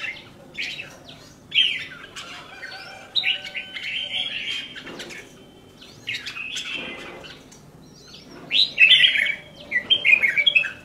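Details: Caged red-whiskered bulbul sings several separate bouts of liquid whistled warbling over about ten seconds, each phrase a few notes long with short gaps between; the louder, busier phrases come near the end.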